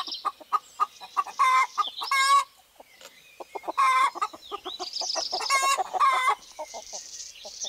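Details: Rooster among hens in a natural setting in spring 2018, giving loud harmonic calls near the second and sixth seconds between rapid clucking, while wild birds chirp faintly overhead.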